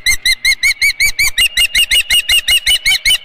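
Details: An Osprey calls at the Dunrovin Ranch nest during a morning fish delivery on 23 April 2018. Piercing chirped notes repeat rapidly and evenly, roughly five per second, each slightly upslurred, with no other clear sounds.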